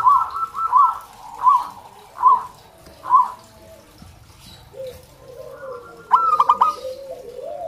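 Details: Local zebra dove singing spaced, gentle arched notes roughly every 0.8 seconds, followed after a pause by a sharper, clicking burst of rapid notes.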